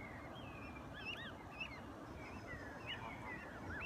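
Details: Canada geese with their goslings; scattered short, high, upswept peeps and chirps sound every fraction of a second over a constant low background hum.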